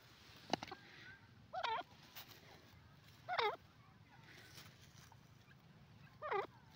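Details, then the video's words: Francolin calls: several loud wavering, nasal notes repeated every couple of seconds, each a short warbling phrase, with a sharp click at the start and low background hum. "teetar ki awaz,the stunning sounds of pheasant bird sounds"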